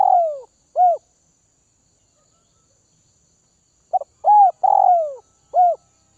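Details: Caged spotted dove from the Tay Bac region of Vietnam, fed to make it tame: trailing coos, a three-second silence, then a stutter, a mellow coo, a long descending coo and a short closing coo.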